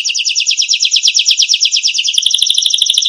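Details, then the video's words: Canary song used as a master recording for training songbirds: a fast rolling tour of bright, high repeated notes, about ten a second, then switching to a sharper, buzzier trill. "masteran burung kenari"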